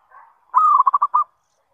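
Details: A zebra dove giving its call as a lure for other zebra doves. A soft lead-in is followed by a clear held coo that breaks into four fast, rhythmic pulses.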